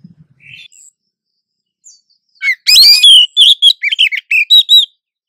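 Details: Oriental magpie-robin in the wild, a breeding-condition female luring a male with back-and-forth calling. A few faint notes, then a lively string of about ten varied whistled and chirped notes, fast and uneven.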